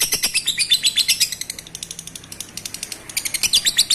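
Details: Lovebird singing to stimulate breeding, bursts of shrill, buzzy chirps in quick series, dipping quieter mid-clip then rising again.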